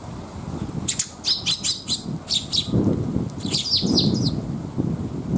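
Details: Young sparrows coming for food on a rainy day at a rest area: bursts of high, rapid, shrill chirps in clusters, with steady rain and low rumbling noise beneath.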